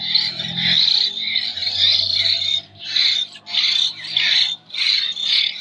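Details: Hand-fed hill myna nestling from Jember gives hoarse, rasping begging calls that run together at first, then break into separate bursts. A low droning background sits beneath.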